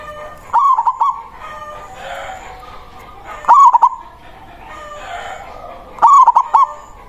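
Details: Loud local zebra dove used as a lure, its song calling rival doves: three clear cooing phrases of quick broken notes, spaced about two and a half to three seconds apart, with a hissing background between.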